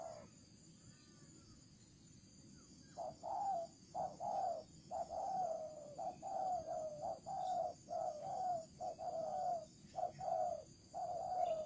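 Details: Decoy spotted dove of the thổ trần type calling: a run of low, mellow coos in short groups, roughly one per second, over steady background hiss.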